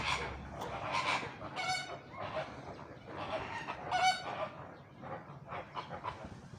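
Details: Flamingos calling: a chorus of nasal, goose-like honks in bursts, overlapping voices from a flock, with one louder honk near the middle.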